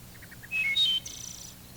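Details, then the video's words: Wood thrush singing one phrase, re-recorded from tape: quiet lead-in notes, clear fluty whistles jumping between pitches, then a high rapid fluttered ending like a metallic trill; faint hum in the background. "The main part of the wood thrush's song can be represented as "Eole." Listen for this flute-like phrase and its variations,"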